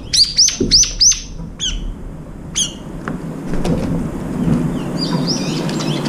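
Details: Brown-eared bulbuls eating at a window feeder around the food bowl; a fast burst of four or five piercing, high hooked notes, then a few scattered single calls, fading into low rumbling background noise.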